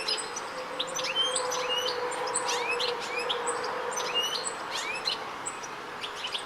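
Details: A European goldfinch in Rombergpark, Dortmund, on 1 August 2013 gives quick, liquid, tinkling call chirps, several notes a second, bright and high-pitched, over a steady low background hum.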